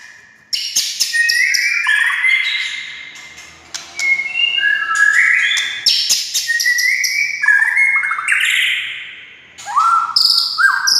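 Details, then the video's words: White-rumped shama song for stirring other shamas to sing: long continuous sequence of varied fluty whistles, clicks and stepping phrases in rapid succession, with brief quieter gaps. "SUARA kicau MURAI INI Buat semua jenis murai gacor,buat Murai DIAM Langsung NYAUT"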